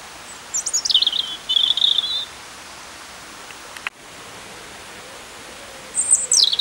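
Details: Robin in full song at Peasholm Park, Scarborough, giving a high, tumbling warbled phrase that ends in a fluttering trill, a pause with one sharp click, then another high descending phrase.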